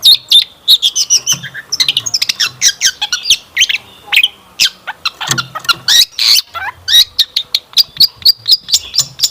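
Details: Energetic long-tailed shrike song with rich fills, used as a lure so that listening shrikes answer. It is a rapid jumble of scratchy chatter, sharp ticks and high squeaky phrases, tumbling on without pause.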